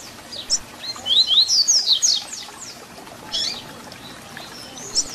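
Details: Double-collared seedeater tutor song of the "Tui Tui Zel Zel" type for teaching young birds: a quick run of high, slurred whistles and sharp twittering notes forms a bright phrase, followed by shorter bursts a little later.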